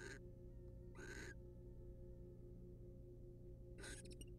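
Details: Inside a research-monitored nest box, wild barn owls, male grooming the female; three breathy screeching bursts, two close together then a pause, the last ending with faint clicks, over low hum.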